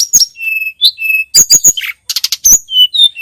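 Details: Short passage of Sunda robin song from a tutor recording: level whistled notes, a sliding squeak, a quick chattering burst, then more clear whistles.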